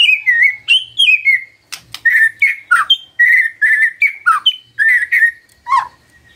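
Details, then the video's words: Magpie-robin singing in the morning, used to coax a quiet bird into replying: clear whistled notes, some steady and some sliding down, delivered in short separate bursts with brief gaps. "Pancingan PAGI PAGI AGAR MURAI GACOR❗ murai diam pasti ikut NYAUT❗❗"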